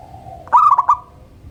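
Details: Morning song of a local zebra dove, one brief phrase of quick rolling cooing notes, a rising opening note followed by four pulsed beats, over a faint steady low hum.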